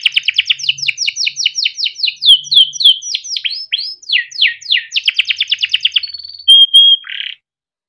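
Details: Timbrado canary, a yellow bird, singing melodic phrases: quick repeated downslurred notes, a fast rattling trill, then pure steady whistles before falling silent.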